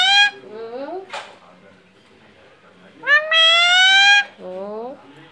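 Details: Alexandrine parakeet pet talking, saying mummy: a short loud cry with softer rising syllables, a pause, then a long, steady, nasal cry and a falling curved syllable.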